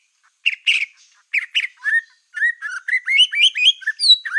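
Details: Black-tailed white-rumped shama singing energetically, a recording meant to provoke other shamas; buzzy chirps open, followed by a steady run of short upslurred whistles climbing higher, about two notes per second.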